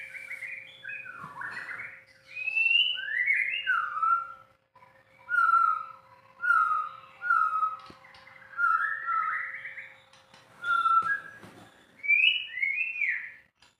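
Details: White-rumped shama in long continuous song: repeated deep fluty whistles every second or so mixed with higher slurs and clicks, with occasional knocks and a faint hum.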